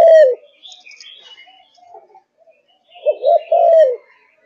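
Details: Spotted dove from a Malaysian strain, kept and singing. A clipped coo opens, then a quiet gap with soft chirps, then one full phrase: a double coo and a drawn-out, gently falling note.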